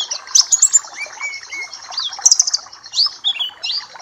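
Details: Papua black-capped white-eye singing as a tutor recording for other birds: quick high twitters and short rising whistled slurs, busy and unbroken, over soft background chatter.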